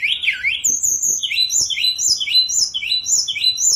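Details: Sunda robin (tledekan gunung) singing a continuous fast song of repeated slurred whistles, alternating low swooping notes with very high thin ones about three times a second.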